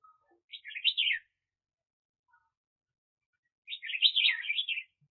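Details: Red-whiskered bulbul serving as a trapping decoy, recorded 2021: two clear, lively warbled phrases of quick chattering notes, separated by about three seconds of quiet.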